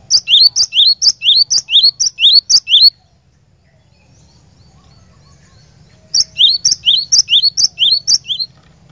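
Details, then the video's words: Cinereous tit (glatik batu) song used as a lure to get a caged bird singing: rapid series of sharp, high two-part whistled notes, each a bright note then a short rising slur, in two bursts of about three seconds separated by quiet. "PANCINGAN BURUNG GLATIK BATU, DIJAMIN GLATIK BATU ANDA LANGSUNG IKUT GACOR NGEROL"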